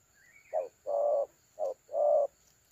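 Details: Spotted dove singing a thổ calam phrase, recorded 30 October 2022 at a dove trap: four low, hollow coos in short-long-short-long rhythm, after a faint brief chirp from another bird.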